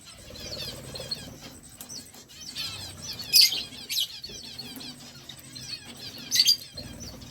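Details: Budgerigars chatter together in a continuous stream of soft, high warbling twitters, with two louder sharp chirps standing out, over a faint low hum.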